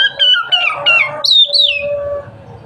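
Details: Oriental magpie-robin giving a brief dense run of overlapping whistled notes followed by a high swooping phrase and a fading low tone.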